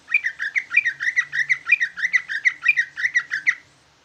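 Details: Jumbo greater green leafbird kept in a cage, singing vigorously in a bulbul-imitating style, a continuous chattering stream of quick whistled notes with higher accents every half second or so.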